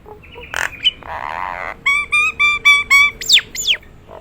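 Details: Nias hill myna, a prized singing bird noted for its special voice, giving a series of six evenly spaced clear whistled notes, preceded by nasal squawks and a rasping burst, then ending in two loud sweeping downward calls.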